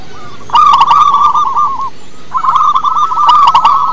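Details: Two bursts of rapid, bubbling cooing from local wild-type zebra doves used to lure others into song, each a quick run of looped notes with sharp chirps layered over them.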